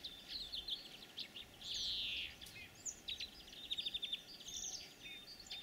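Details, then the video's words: European greenfinch singing in spring, during the breeding season. Quick twittering trills and chirps, then one long buzzy, wheezing note lasting under a second. More rapid trilled phrases follow over a faint, steady background hiss. "Зеленушки. Голоса птиц"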